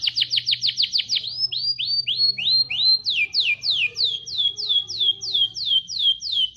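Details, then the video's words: Rambetuk laut singing a canary-imitation song: fast runs of high, downward-sweeping whistled notes, about three per second, shifting through several phrase types with steady rhythm; a faint low hum underneath. "rambetuk laut isian kenari"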